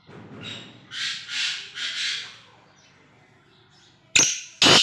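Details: Black francolin, a pet bird, gives three softer buzzy rasping notes, then a pause and two sudden loud, harsh, scratchy notes close together.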